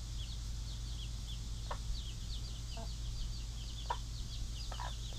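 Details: Pet mother hens with their baby chicks in a chicken pen: steady high peeping from chicks, a few short low clucks from the hens, and a constant low hum.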